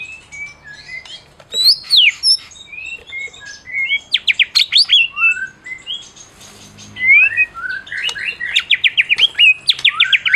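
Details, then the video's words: Prize-winning caged Medan white-rumped shama singing, its song meant to provoke mute shamas: varied high whistled slurs and chirps building into rapid repeated sharp notes, a faint low hum in the background. "Masteran Murai Batu Medan Berprestasi !! Murai juara,, cocok pancing murai lain yg bisu"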